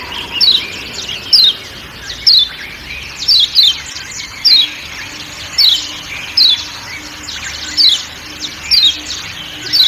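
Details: Lombok kecial kuning uttering sharp, quickly descending 'ciak' notes, single and paired, roughly once a second, over muted forest ambience.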